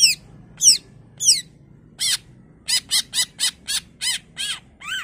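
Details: Greater green leafbird used as a lure to get other leafbirds replying. A few sweeping whistles lead into a fast series of harsh, buzzy, ringing notes, over a low background rumble.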